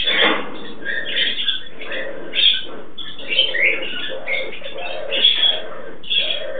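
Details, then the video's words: A pair of pet turquoise-fronted amazons (Amazona aestiva), a male and a female, mating, giving soft, repeated grumbling and squeaky notes about once a second with a few brighter chirps mixed in. "parrot aestiva mating"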